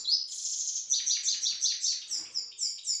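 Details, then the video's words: Pet grey-headed goldfinch in Istaravshan opens with a thin high whistle, then repeats a bright chirping note about four times a second in a rhythmic twittering run. "Мой седоголовый щегол город Истаравшан"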